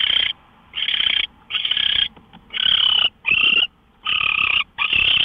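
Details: Owl recorded at 5:27 in the morning on March 24, 2013: harsh, raspy hissing bursts of about half a second, seven in five seconds with uneven gaps, over a quiet low background.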